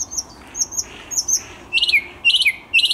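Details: Thrush nightingale song on 10 May 2021: a few high, thin whistled notes, then loud, rapid clicking rattles repeated about every half second, with a faint background hiss.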